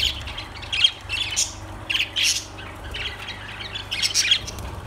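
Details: Scattered, squawky lovebird calls come in short, loud bursts separated by quieter gaps, over a faint low hum.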